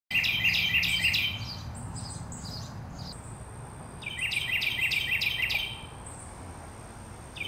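A Carolina wren gives two loud bursts of rapid, rolling, repeated phrases. Thin high whistles from another bird and a low background rumble come between them.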